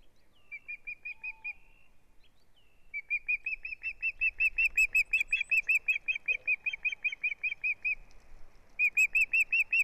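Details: Male Osprey at the nest on 6 April 2017, handling a big fish beside the female, recorded on a live nest camera: short chirp runs, then a long, rapid, steady string of sharp whistled notes that grows louder.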